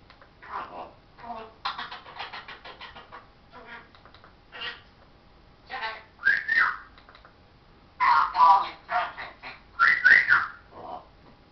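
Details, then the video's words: Talking parrot producing a string of speech-like syllables, some short and clipped, others drawn out, broken by pauses, with a few bright rising-and-falling whistled notes mixed into the later phrases. "parrots says hello darling show us your"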